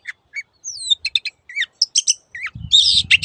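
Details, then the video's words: Master song of a long-tailed shrike (cendet) for coaxing silent caged shrikes back into voice: spaced chirps, a high falling whistle, clipped double notes, then a harsh grating burst near the end over a low rumble. "MASTERAN BURUNG CENDET SANGAT COCOK BUAT CENDET MACET BUNYI ATAU PINDAH JURAGAN"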